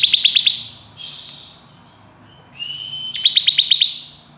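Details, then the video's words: Crystal-type bar-winged prinia singing fast ngebren variations: two short runs of sharp, evenly spaced high ticking pulses, separated by a hissy rush and a long, steady, thin whistle before the second run. "Ciblek Kristal Ngebren Nembak Variasi Speed Rapat"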